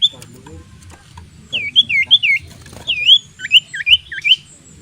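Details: Sirtu/cipoh (common iora) in persistent song used as a fighting lure, recorded 14/11/2022: clear, swooping whistled notes that dip and rise, given in quick runs of three or four, with a low hum underneath.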